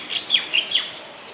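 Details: Brief burst of four clipped, bright chirps from a White-vented myna in Ubon Ratchathani, Thailand, 17 July 2020. Each note is short and slightly down-slurred, followed by quiet.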